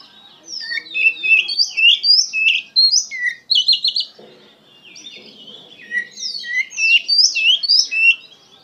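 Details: Pet Oriental magpie-robin singing passionately: fast sequences of sweet whistles and chirps, roughly three per second, one buzzy trill in the middle, then a pause and another lively run of varied notes.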